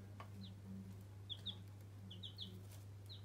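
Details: Newborn baby chicks kept as pets, giving short high peeps that slide downward, singly and in quick pairs, about eight in three seconds, over a steady low electrical hum with faint soft low chirps.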